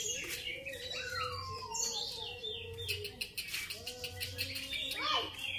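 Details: Grey-cheeked bulbul giving long descending slurred whistles, then fast buzzy bursts and sharp rising notes near the end, with a faint steady low tone beneath.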